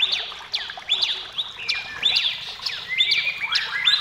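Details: Singing white-rumped shama producing sharp downslurred and upslurred whistles, quick clicks and short flat whistled notes in a jumpy, rapid sequence.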